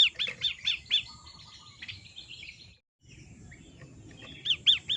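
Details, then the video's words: Long-tailed shrike song from a recording used to train caged birds: quick bursts of sharp, arched chirps repeated in short runs, a brief silent gap, then more chirping notes over faint low background rumble. "Master Terapi PENTET matahari bikin bunyi"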